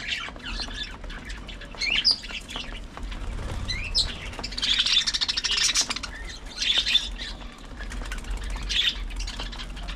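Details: Budgerigars in a group, seen playing, fighting and preening one another, keep up a busy warbling chatter of squeaky chirps, loudest in a dense patch around the middle, with a low rumble underneath.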